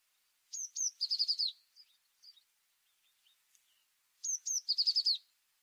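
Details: Tit singing twice: two thin, high introductory notes, then a fast even trill of about six lower notes, with soft scattered chips between the phrases and near silence otherwise.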